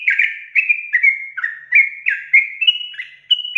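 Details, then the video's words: Yellow-vented bulbul in lively full song with long rapid trilling phrases, used to prompt other bulbuls to trill; clear whistled, slurred notes in bursts about every half second, gradually stepping higher, with no other sounds. "TRUCUKAN GACOR ROPEL PANJANG BIKIN TRUCUK TROCOK LAIN CEPAT ROPELAN"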